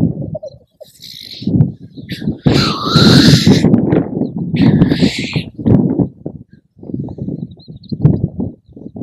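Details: Black grouse on windy uplands give a low, continuous bubbling coo, broken by loud, harsh, hissing sneezes every couple of seconds, with wind rushing in the background.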